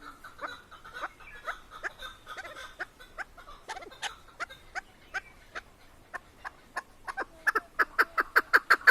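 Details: Female Chukar partridge, a hunting keklik from Tajikistan, starts with softer, uneven clucking chuk notes that build into a fast run of loud, sharp, evenly spaced calls over the last two seconds.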